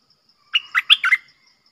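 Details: Short song phrase from a red-whiskered bulbul: four quick, clear whistled notes with bright, bubbly inflections, delivered in under a second against a quiet background.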